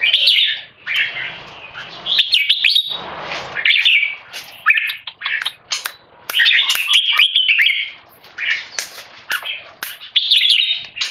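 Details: Tame male red-whiskered bulbul stressed by human disturbance, repeating loud clear keke notes: shrill chattering phrases in uneven bursts separated by short silences, mixed with sharp clicks.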